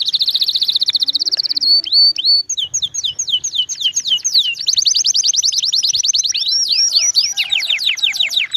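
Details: Canary song played nonstop for training other canaries; opens with a very fast even trill, then looping up-and-down whistled slurs and a high rolling trill, phrase after phrase.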